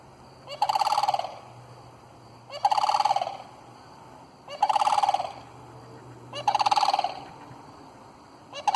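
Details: Flock of around 27 sandhill cranes calling, seemingly startled by a dog. Four rattling, trumpeting bugles come at steady intervals of about two seconds, each one a rich, rolling burst over a low background drone.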